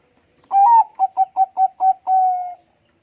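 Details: Bangkok-type zebra dove (perkutut bangkok) in full song, meant as a lure sound that other birds answer quickly. A swelling first coo, five evenly spaced short clipped notes, and a long steady closing note, with no other sounds.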